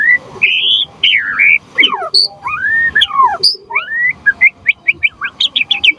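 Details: White-rumped shama in full voice, used to make other shamas respond and as a tutor song. Clear looping whistles rise and fall, then quick upslurred notes repeat faster toward the end.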